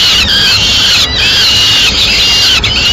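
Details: Peregrine falcon nest in Madrid as the male brings a swift and feeds the chicks: shrill, drawn-out squealing calls run almost without pause, broken by a few brief gaps.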